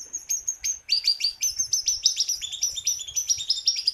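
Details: Jungle babbler in full song, captured as a training recording for kept birds: quick strings of high chirps, each sliding downward, with a few longer whistled notes over a faint low hum.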